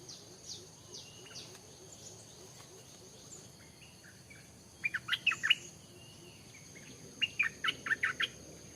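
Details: Stripe-throated bulbul recorded in forest where a newly kept bird was brought to check wild birds: two bursts of quick, bubbly, warbled notes, at about 5 and 7 seconds, over faint high ticking descending notes from another caller and soft background hiss.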